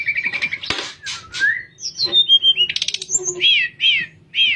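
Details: Nyuling song of a sooty-headed bulbul, recorded as tutor material for other birds: a steady whistle and rough notes, a long descending glide, a rapid trill, then three clear arched whistles.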